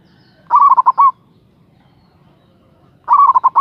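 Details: Local zebra dove in full voice, calling a rival, sings two loud, crisp phrases two and a half seconds apart. Each is a quick stutter of five or six resonant coo notes, the last one drawn out, against a quiet background.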